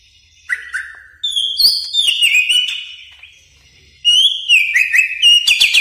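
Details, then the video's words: Greater green leafbird, a caged bird singing a training song, gives long whistled phrases that slide and warble between middle and high pitch, with pauses between them and brief sharp chips mixed in. "Pancingan Dan Masteran Cucak Ijo Gacor Bongkar Isian Mewah Yakin Nyaut | Greater Green Leafbird"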